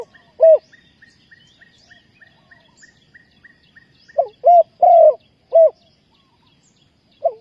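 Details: Spotted dove in a trapping setup, luring wild birds, Ninh Thuận: a lone coo, then after a pause a four-note phrase of low hoarse coos ending in a longer drawn note, over steady high ticking chirps of a small bird.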